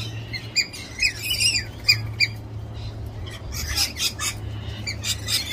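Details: A flock of galahs, or pink cockatoos, visiting at close range and not at all shy. Scattered raspy squawks and shrill screeches, a brief lull midway, then a denser cluster of harsh overlapping calls, with a faint low hum beneath.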